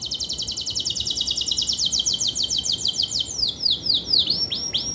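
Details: Canary song meant to provoke silent, lazy canaries into singing: a long, fast, high rolling trill held steady for over three seconds, ending in sweeping downward and upward whistled notes.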